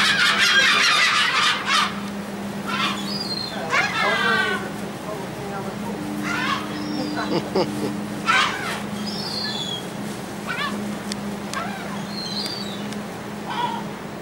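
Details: Gulls fed on a ferry deck leaving Texel, Netherlands, in March 2014, giving loud bursts of ragged, nasal cries, busiest at the start, then scattered shorter squeals over a droning ship engine and some voices.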